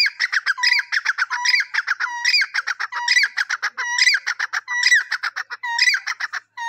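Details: Francolin giving a harsh, clucking call series, dense rapid syllables with rising squawky notes and short whistled tones, repeated in phrases about every 0.8 seconds, loud and uninterrupted.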